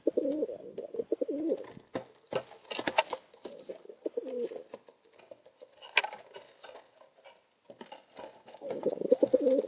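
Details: Two pigeons bickering over space and cooing: low, throaty rolling coos open and close the stretch, with scuffling, wing clatter and sharp knocks in between.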